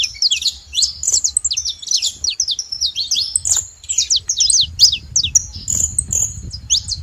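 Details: Saffron finches calling together: steady, overlapping high chirps and downslurred notes, with some low rumbling noise in the background.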